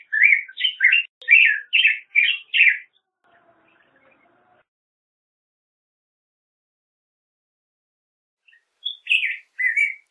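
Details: Song of the Black-headed grosbeak, a quick run of six warbled notes, then several seconds of silence before a fresh burst of slurred, rising-and-falling phrases.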